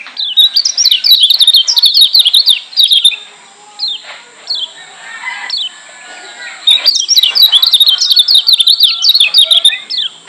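Lombok white-eye giving rapid, high, twittering phrases in two dense bursts separated by a few scattered notes, over a faint steady high whine.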